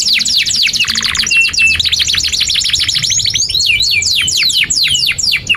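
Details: Canary in extended gacor singing used as a model for young and silent canaries, a fast-pulsing trill with a brief low rolling rattle, then sweeping whistled phrases.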